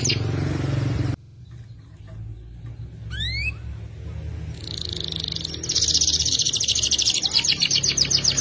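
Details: F2 YS canary in full voice performing a long, sharp trill. A loud low rumble opens and then cuts off. Brief rising upslurred notes follow, then a high rapid pulsed trill builds steadily to the end.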